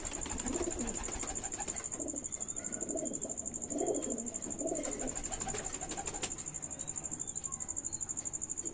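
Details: Pigeons of a good breed, a few soft low coos under a constant high electronic whine and a rapid ticking pulse.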